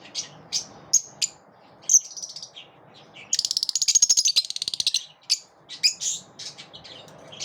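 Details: Lovebirds chirping in the morning: sharp high chirps scattered over the first seconds, then a fast buzzy chattering burst of rapid repeated notes, followed by more separate bright chirps.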